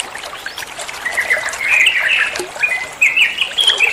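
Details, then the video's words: Trucuan, the olive-winged bulbul, used as master song to tutor caged songbirds: quiet start, then short liquid warbled phrases that grow louder, with quick rising and falling notes over soft trickling water. "Masteran trucuan muantaaap, (burung trucuan anda pasti nyaut)"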